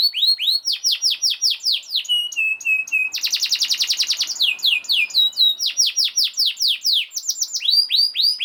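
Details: Canary in energetic, rapid song used to teach other canaries: repeated falling whistled notes, a short lower steady trill, then a fast dense buzzing roll before more sweeping downslurs.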